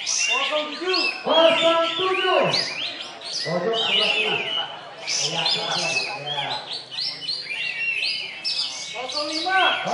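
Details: Champion sooty-headed bulbul (kapas tembak) at a songbird contest, singing steadily with tail spread, gives a rapid chattering run of bright warbled and whistled phrases, several each second; other birds and faint voices behind.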